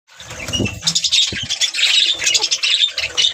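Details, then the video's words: Budgerigars singing: dense, scratchy high chirps and warbles run almost continuously after a brief quiet start, with a few low thumps and some background rumble underneath. "budgie parrots singing"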